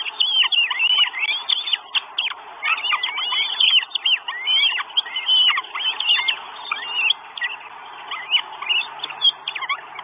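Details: Begging at a Northern goshawk nest in Estonia, 1 June 2022, four chicks wanting food, recorded by a live camera; rapid sharp squealing notes and slurred whistles in dense bouts, thinning toward the end.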